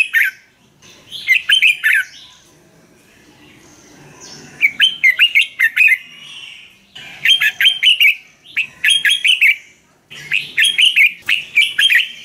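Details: Song of a Thai Red-whiskered bulbul used to rouse or train caged birds: repeated phrases of rapid, bubbling whistled notes in quick clusters, coming almost continuously with brief gaps.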